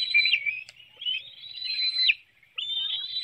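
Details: Bald eagle nest in Hanover, Pennsylvania, morning of 9 June 2019, adult feeding young a small fish on webcam; drawn-out high whistled notes with a brief dip, a short pause, then another long thin whistle.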